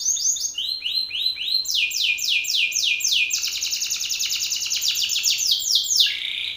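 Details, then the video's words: Loud song from a male Belgian canary directed at another male: separate falling notes at first, then rapid repeated sweeps and a long dense trill, rising briefly in pitch near the end. "Canário belga BRAVO CANTANDO FORTE na cara de outro macho !"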